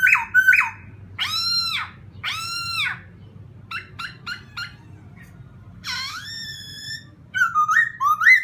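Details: Laughingthrush delivering a provoking song: short harsh buzzy notes, a few brief clipped calls, a long nasal rising note, then bright slurred whistles at the end.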